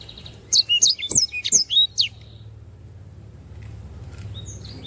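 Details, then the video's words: Canary song on a bird-training recording: about one and a half seconds of fast, high chirping and whistled notes, then a quiet stretch with low hum. "sanger gacor. masteran burung"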